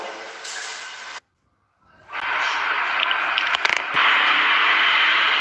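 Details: Broadband crackling noise with a short silent gap, then steady hiss with sharp clicks, and no animal voice audible.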